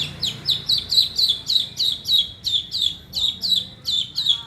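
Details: Long-tailed shrike mimicking a lovebird, delivering a steady stream of sharp, downslurred shrill chirps, roughly three to four per second, loud and continuous throughout.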